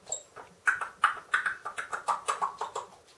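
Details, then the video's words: Female pet talking parrot indoors, known for mimicking speech, barking and howling; a quick run of about a dozen short, clicky, popping bursts at a fast uneven pace, like beatboxing, in a small quiet room. "the talking parrot, talking, singing, dancing, yawning, barking, howling"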